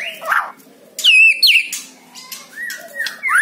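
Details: White-rumped shama singing to prompt another captive bird: short rough notes, then bright downward-slurred whistles and long steady whistled tones ending in a rising twist.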